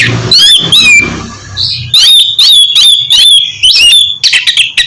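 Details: Oriental magpie-robin song used to encourage a quiet bird to sing, with two loud whistled phrases, a short buzzy note, then a fast series of strong ringing whistles and clipped chirps over a low hum.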